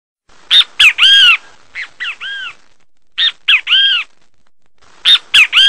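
Great kiskadee giving loud, harsh three-part 'bem-te-vi' phrases, two short notes then a longer arched one, repeated four times in quick succession.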